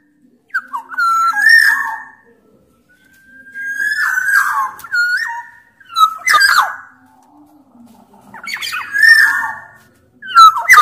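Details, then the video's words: Black-naped oriole from Sumbawa, the larger-bodied type, singing actively in a lure recording meant to prompt other orioles to call. Loud fluty whistles sliding around mid pitch, mixed with harsh nasal notes, come in four bursts separated by short silences. "Burung kepodang sumbawa gacor"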